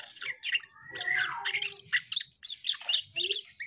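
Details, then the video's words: Asian pied starling singing varied phrases: a drawn-out rising then falling whistle, followed by squeaky chirps and harsh chattering notes in short bursts. "Burung cucak Keling Gacor"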